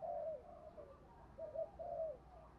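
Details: Decoy spotted dove with a good cooing style, used to stimulate other doves: mellow, low, slightly falling coos, faint against a background hiss, in two short groups.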